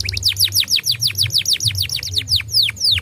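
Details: Canary singing on a lure recording meant to make young canaries sing fast: a steady series of sharply descending whistled notes repeated about three times a second, over a faint low hum.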